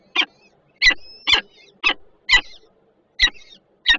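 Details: Peregrine falcons at a nest on the PGNiG Termika plant in Żerań, Warsaw, Poland, 28 June 2022, one standing guard while the other arrives with food, picked up by a nest camera; short harsh raspy calls repeated irregularly, seven within four seconds.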